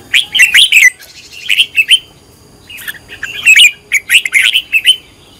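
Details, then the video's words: Red-whiskered bulbul in decoy training sings lively chirpy warbles, two groups of rolling whistled notes split by a quiet pause near the middle. "Cách luyện chào mào mồi - căng lửa| luyện chào mào thành mồi, luyện giọng chào mào hót hay"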